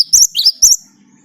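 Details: Short burst of Great tit 'gacor' song used as a lure: three quick, bright, high whistled notes in a rising-falling pattern, followed by a faint low hum.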